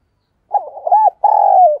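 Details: Decoy Spotted Dove, kept caged to lure wild doves, heard close and clean: rapid uneven low hoots lead into a sustained, gently descending coo.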